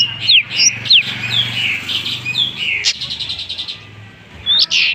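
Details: Long-tailed shrike (cendet) imitating other bird species: loud falling whistled slurs and squeaky notes, a fast buzzy rattle in the middle, then a harsh burst at the end.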